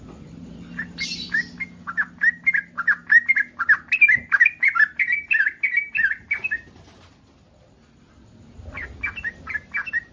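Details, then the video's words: Yellow-vented bulbul in breeding condition, singing to provoke other bulbuls: a fast chattering burst of liquid warbled notes for several seconds, a pause, then the bubbling resumes. "SUARA BURUNG TRUCUKAN BIRAHI"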